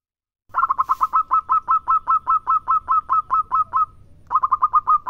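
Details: Zebra dove, local bird, actively singing: long train of rapid, ringing coo notes at about two and a half per second, then a short gap and another quick run.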